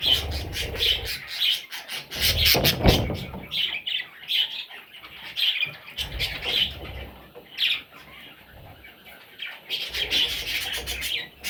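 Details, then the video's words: Parrot chicks calling in bursts of shrill, scratchy chirps that fade in the middle and pick up again at the end, mixed with rustling and soft thuds. "Parrot Chicks"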